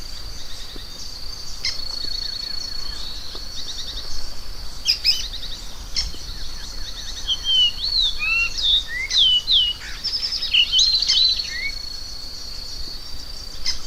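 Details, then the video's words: Variable oriole song: clear whistled phrases of rising and falling slurred notes, mostly in the second half, over a steady high insect drone with a few clicks. "Som do pássaro encontro"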